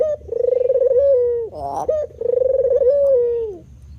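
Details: Spotted dove of a white variant cooing in drawn-out, throbbing notes at a steady low pitch. A brief harsh, grating syllable and a short rising note break the phrase midway, then another long purring coo follows.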